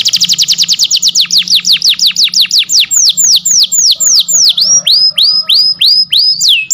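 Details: A canary sings as a model for canaries that stopped singing. A rapid trill of falling notes gradually slows, then turns into upward-curving whistles. A soft low hum runs beneath.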